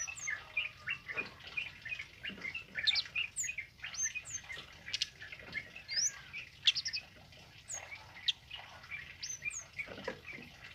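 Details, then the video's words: Tame male kemade in lively song for training other songbirds: quick, irregular bursts of bright chirps, high thin slurred whistles and clicking notes, continuing for about ten seconds over a low hiss. "Suara Burung Kemade Jantan Jinak Gacor Ngalas Buat Masteran"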